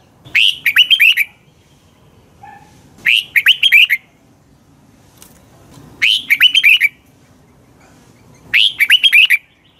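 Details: Red-whiskered bulbul morning song used as a lure to train and excite other bulbuls: short bright phrases of five or six quick whistled, slurred notes, each under a second, repeated about every three seconds, with a faint low hum underneath.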